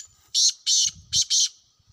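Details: Black francolin in the wild, recorded in a hunting setting: four strong, harsh, scratchy notes delivered as two pairs, with soft low murmuring in the background between the pairs.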